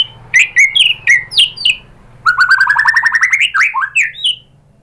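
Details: Lure song of a white-rumped shama for drawing another bird into song: a few clear, separate whistles, a brief pause, then a fast rising run of chattering notes ending in sweet downslurred whistles.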